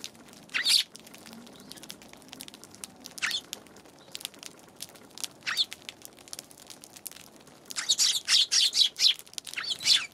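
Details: On January 11, Eurasian tree sparrows give isolated sharp chirps every couple of seconds, then a quick burst of rapid chirping near the end, over light crackling.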